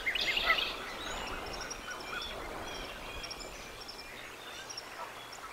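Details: Bald eagle at the Decorah North nest on 4 April 2024 sounds the alarm as an intruder flies over and is chased away: a burst of high, chattering piping notes, then fainter scattered chirps over steady background hiss.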